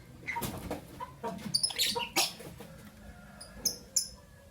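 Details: Albino and Euwing green opaline lovebirds in the morning. A cluster of piercing chirps sits among rustling and low thumps, then two isolated thin high chirps follow.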